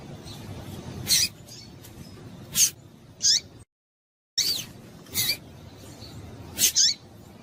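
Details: Female yellow-bellied seedeater giving chip calls to make males sing: crisp high notes, some slurring downward, every second or so, broken by one short silent gap, over soft hiss.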